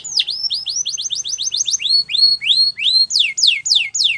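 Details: Canary song used for training: a quick series of hooked whistled notes, slowing into fuller rising slurs, then sharper descending sweeps at the close.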